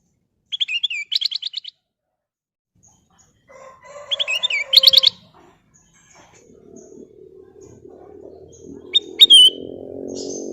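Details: Golden bulbul opening with rapid buzzy chattering bursts, then more quick chattering, and finally one clear descending whistled phrase, while a low droning noise rises in the background.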